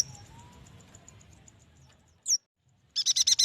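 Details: Yuhina sound meant to coax young, newly caught or reluctant yuhinas into song: soft distant chirps and a faint low rumble, then one sharp downward-sliding high note and a closing burst of fast, bright chirps.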